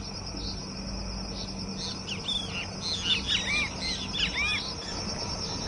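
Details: Chiloe Wigeons (Anas sibilatrix) at Laguna del Diario, Uruguay, on 15 December 2016, give a burst of clear, arching whistles over a few seconds, several overlapping, above a steady high insect hiss and low background rumble.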